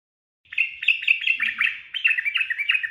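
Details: Sooty-headed bulbul (trucukan) singing a lively 'ropel' phrase, used as training audio for cage birds: a dense, rapid tumble of chirpy, warbled notes that rise and fall slightly.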